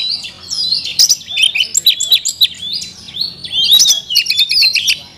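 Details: Oriental magpie-robin (kacer) giving a rich isian song filled with learned phrases: a continuous flow of high whistled slurs, warbles and rapid clicking trills, changing phrase every second or so, with a faint low hum beneath.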